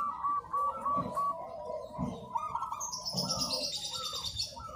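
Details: Zebra dove, local stock, cooing for training: repeated short mellow notes at a steady pitch, then wavering coos, overlaid by a high hissy chirping from other birds and low thudding background noise.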